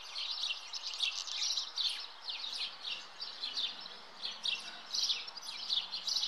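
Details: Common house martin at the nest: dense, rapid high-pitched twittering and chirping chatter, continuous through the recording with no other clear sounds.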